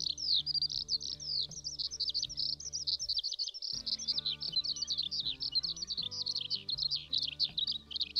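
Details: A Eurasian skylark sings, a habit of flying up into the sky singing mostly in sunny weather: a continuous, high, rapid stream of chirps and trills without pause, over soft background music.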